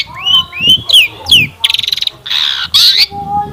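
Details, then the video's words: Long-tailed shrike song played as a lure to set other shrikes singing: mixed rising whistles, harsh squawks and rapid buzzy rattles at high pitch. "Kicauan Cendet Memukau! Pancingan Cendet Gacor Full Isian Mewah"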